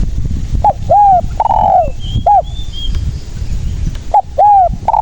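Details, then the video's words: Spotted dove in full voice, used as a lure to trap others and to stir reluctant doves into calling: low mellow coo phrases, a short note, an arched coo and a longer drawn note, given twice, with faint thin chirps of another bird. "SUARA BURUNG TEKUKUR GACOR"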